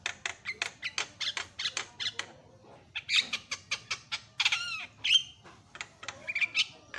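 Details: Javan myna calling loudly to draw calls from other mynas: clipped harsh notes repeated irregularly, with a couple of clear whistled slurs and scratchy squawks between them.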